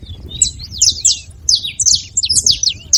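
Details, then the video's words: Free wild saffron finches: high, rolling, slurred chirps that swoop up and down, given in quick bursts with brief gaps between. "Canarinhos da terra livre na seva fazendo barulho"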